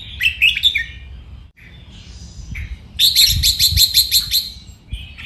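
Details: Caged red-whiskered bulbul performing training song: a fast stuttering run of chirps, quieter slurred notes, then a rapid even series of about eight bright ticking notes, with faint low knocks underneath.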